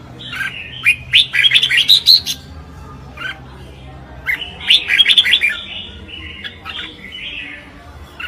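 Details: A Red-whiskered bulbul singing in competition gives two bursts of bright, chattering, whistled phrases, each about two seconds long, with a pause between, over a faint low hum.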